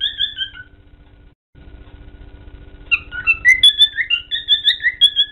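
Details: A pet male cockatiel whistles a melodic tune of clear, sliding notes in quick succession while standing on his wooden stand; he sings happily for hours. The clip is song-training audio.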